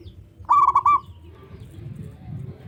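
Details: Local zebra dove (perkutut lokal) with a loud, big voice, calling to set off rival doves: one short rolling coo of a few quick pulses, followed by low background rumble.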